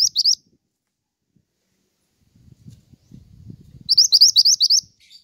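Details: Lively pied triller song intended for luring and tutoring songbirds: a brief pair of rising whistles, a quiet gap with soft low rustling, then a string of about seven quick upslurred notes.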